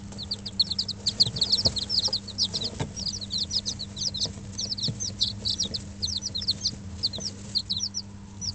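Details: Brooder full of five-day-old bantam chicks, Dutch and Barbu d'Anvers, kept under an electric hen: dense, nonstop shrill peeping, dozens of short high notes tumbling together, a faint low hum behind.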